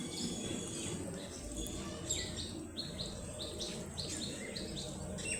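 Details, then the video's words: Tiny fluffy ducklings exploring their surroundings utter clear, high downward-sliding peeps in rapid clusters, some doubled, over a soft low background hum. "Baby Ducklings Make The Funniest Sounds"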